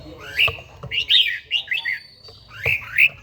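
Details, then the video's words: Red-whiskered bulbul, an old bird with a forest voice, in morning song training: several short bright whistled phrases, each sliding up and down, separated by brief gaps, with light clicks behind. "chàomào HÓT SÁNG, LUYỆN CHIM HÓT HẰNG NGÀY"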